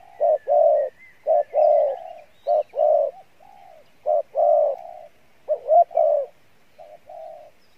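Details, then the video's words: Spotted dove with good voice and fair cooing, Pha Bài Lối style. Repeated low phrases, each a short coo followed by a fuller drawn-out one, with softer trailing notes and one wavering phrase. Faint chirps behind. "Đồng Pha Bài Lối , tốt Giọng , Gù khá"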